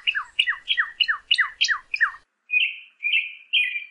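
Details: Northern cardinal song for teaching birds to sing: seven quick down-slurred notes repeated about every third of a second, then three longer, level, buzzy whistles.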